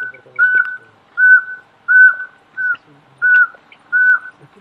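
Yungas Pygmy-Owl: six clear, level whistled toots on one mid pitch, each about a third of a second long, spaced a little under a second apart.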